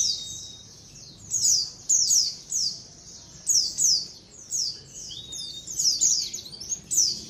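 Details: Calls of a white-eye colony, meant as a lure. Bright, high, falling chirps in rapid clusters roughly every half second, plus a thin flat whistle at the start and another midway.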